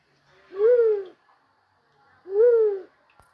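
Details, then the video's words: White-headed fruit dove gives two low, hollow coos, each about half a second long and gently arched in pitch, spaced under two seconds apart, with no other sounds. "Bawod song pangate, punai, alimukon hunt(White head fruit dove)"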